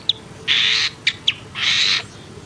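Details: Long-tailed shrike giving two long harsh, rasping buzzy calls, each about half a second, separated by short sharp clicks.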